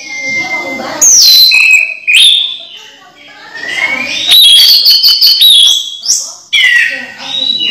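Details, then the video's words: Caged orange-headed thrush kept at home, singing loud varied whistled phrases with sharp sliding notes and brief pauses between bursts; its song is used to draw lazy thrushes into singing. "Anis merah bunyi langsung teler"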